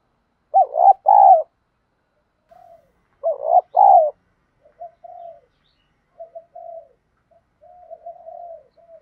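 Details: Spotted dove lure cooing in the thổ đồng style, meant to stir new birds into cooing: two loud paired bursts of rolling coos, each followed by quieter scattered murmured notes, in a quiet background.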